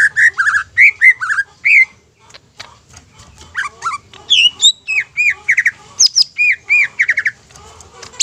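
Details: Lure song of a greater green leafbird, intended to excite other leafbirds into singing: scratchy chattering notes mixed with loud slurred whistles, some high upward sweeps, and a dense run of repeated whistled phrases at the end.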